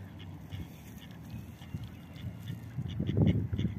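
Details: Mallards on a beach, a drake guarding his mate and their food from a second pair; a fast series of short, nasal quacks, louder toward the end, over steady wind and low rumble.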